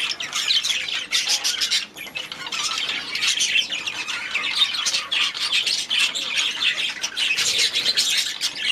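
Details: Many budgies in an aviary calling at once: rapid scratchy squawks and warbling chirps in loud bursts, briefly dipping around two seconds before resuming.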